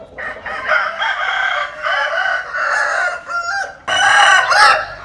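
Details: Roosters, Vietnamese chickens and American Sil chickens, crowing: long hoarse harmonic crows with a wavering, drawn-out middle section, one crow running into the next, a second loud crow starting near the end.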